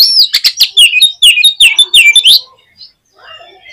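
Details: Rapid string of loud, rich whistled notes rising and falling from an Oriental magpie-robin, played to stir caged birds to sing, fading to faint twitters after two and a half seconds.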